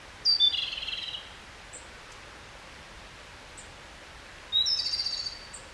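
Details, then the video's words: Japanese robin giving subsong (guzeri): two loud phrases about four seconds apart, each a sharp high note dropping into a rapid, lower rattling trill lasting under a second, with faint short high chirps between and a steady background hiss. "コマドリのさえずり（ぐぜり）Japanese robin Erithacus akahige song"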